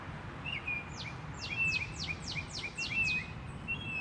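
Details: Birds singing in nature: about seven sharp descending high notes in quick succession over three seconds, mixed with brief bright whistled notes, and a constant low background rumble.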